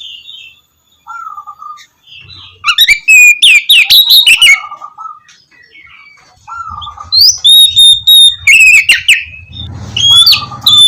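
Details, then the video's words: Oriental magpie-robin in full gacor song for luring reluctant birds to sing in the morning: soft low whistles building into loud rapid chirps and high ringing whistles, with a faint low hum underneath. "KACER GACOR cocok buat pancingan kacer malas bunyi dipagi hari"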